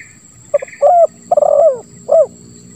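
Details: Spotted dove in the Indonesian 'lambung kuk 1 suara ngeruk' style, used as a lure for silent doves: low, hollow cooing phrases with a rolling, stuttered middle note and a final rounded coo, over a steady high electronic tone.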